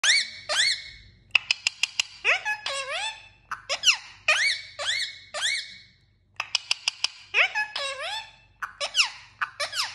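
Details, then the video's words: Indian ringneck parakeet talking: rapid bursts of squeaky, harmonic-rich syllables that sweep up and down, broken by clusters of sharp clicks and brief pauses, with one near-silent gap before the chatter resumes. "Talking Parrot Video Compilation"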